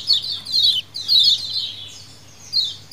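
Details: Lemon-bellied white-eye colony calling as a lure, in a wild-style recording: high, descending chirpy bursts about half a second long, three loud phrases with a softer one between, over a faint low hum.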